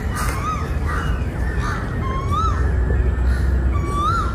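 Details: Wild crows in a forest at evening, around 6:30, trying to attack the recordist; a run of short arched, slightly hoarse calls repeated roughly twice a second over a constant buzzing drone.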